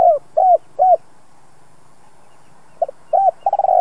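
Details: Spotted dove with a two-ending 'giọng đồng' voice for training decoy birds: three low hollow coos close a phrase, then after a silence a new phrase begins with a stutter and a rolling tremulous coo.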